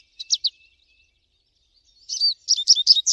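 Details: American goldfinch singing in nature: three quick high chips, a quiet pause, then a lively series of slurred, sweet whistled notes repeated at a brisk pace until the end.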